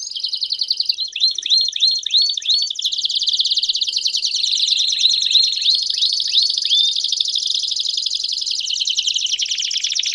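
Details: Loud, energetic Belgian canary song opens with a series of ringing upswept whistles. These give way to long, dense, rolling trills that shift in pitch and speed.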